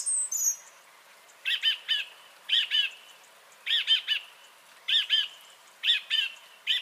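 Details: Song thrush song from 30 January 2021: after one high thin note, a rich fluty double phrase is repeated about every second, steady and emphatic.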